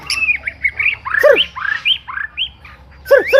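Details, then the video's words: White-rumped shama singing a brisk run of clear whistled notes, some rising and some falling, mixed with harsh squawky calls near the start and end, with a low background hum. "MASTERAN BURUNG MURAI"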